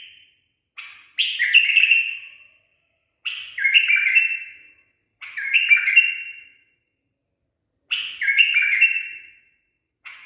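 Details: Trained pet bulbul repeating its 'barwaz' song: crisp warbled phrases, each beginning with a short note and ending in a descending whistle, spaced roughly two seconds apart.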